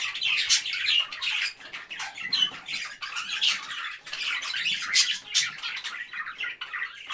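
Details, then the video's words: Parakeets chirping in a busy, overlapping chorus of harsh squawks and bright chirps, bursts coming several times a second with no steady rhythm, filling the upper range throughout. "Parakeets Chirping Sounds"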